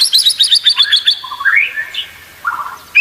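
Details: White-rumped shama song used as training material for competition birds: a fast run of sharp, high chirps, then rising slurred whistles and a short lower trill, ending on a bright upward note.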